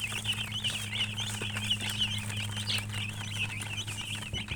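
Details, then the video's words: Chickens keep up a busy chatter of quick, warbling high chirps, about one and a half per second, with a low mains-like hum throughout. "silly chicken chirping sounds with murgi hen color chicken"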